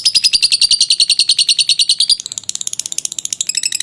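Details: Long ngekek trill from a lovebird, used as training sound: rapid, evenly spaced shrill notes for two seconds, then a brief break and a higher, thinner stream of clipped chirps.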